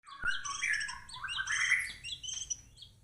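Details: White-rumped shama singing a rich, fast medley of clear whistled notes and slurred phrases, mid-pitched runs overlaid with higher sharp chips, loud and continuous over three seconds with brief dips between phrases; a faint low hum underneath.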